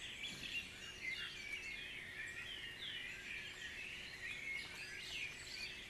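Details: Many birds singing together at dawn in Guisborough, a busy layered mix of quick chirps and thin whistled notes with no single bird dominating.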